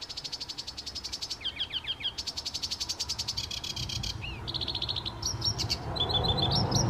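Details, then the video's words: Wren singing in a garden on 23 May 2022: a loud, fast run of high trills and rattles, with rapid repeated notes, quick slurred chips and a piercing final flourish, over low background rumble. "wren in the garden 23rd May 2022"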